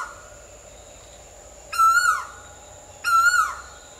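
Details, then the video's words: Two Asian koel calls about one and a half seconds apart: bright, resonant notes with many overtones, each sliding downward as it ends, against a soft steady background hum. "Mesmerizing Asian Koel Birds' Sounds"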